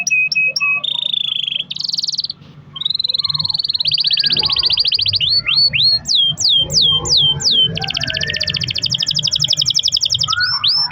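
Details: Canary in full long-rolling song, used to prompt other canaries to sing: buzzy trills, a held whistle, then a run of sharp downward-sweeping notes and a fast high trill, over a steady low hum.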